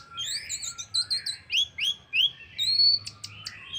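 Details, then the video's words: Orange-headed thrush singing as a lure to get other birds to sing along: a dense run of varied whistled phrases, slurred upward notes and sharp high chips tumbling into one another, with a low hum underneath. "pancingan Anis merah paling ampuh bikin burung lain ikut bunyi"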